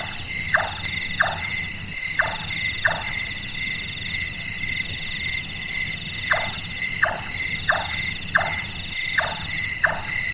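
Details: Burung tukang or large-tailed nightjar calling after dark with carpenter-like knocks. A series of four knocks is followed by a brief pause, then six more at an even pace, all set over a loud, unbroken insect chorus.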